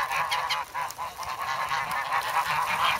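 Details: Hungry geese begging for bread in snowy Sloterpark, Amsterdam, on February 3, recorded with a Sanyo SH1. Steady stream of short nasal honks, about three per second, overlapping from several birds.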